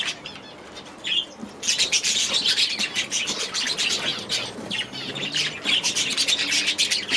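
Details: The clip opens fairly quiet, then aviary budgerigars burst into a lively chatter of shrill chirps and grating warbles that carries on without stopping.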